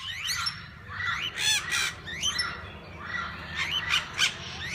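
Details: Parakeets of different kinds in a walk-in aviary where visitors feed and hold them: harsh squawks and chattering chirps overlapping from many birds, with sharp bursts around the middle and near the end over low steady background hum.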